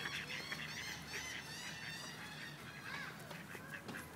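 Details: Ducks in Wilmington, NC, where a group of rejected males try to forcibly mate with a female; harsh, nasal quacking bursts in the first half, fainter later, over a steady hiss of background noise.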